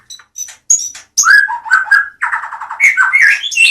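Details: Medan white-rumped shama with sharp high notes, then a rapid stuttering run of repeated notes and bright rising whistles in a dense, energetic phrase.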